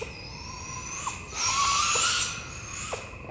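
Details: Young owls at night give a harsh, hissing screech lasting about a second, thought to be a begging call, since young owls don't hoot. Faint chirps and steady high insect-like tones sound in the background.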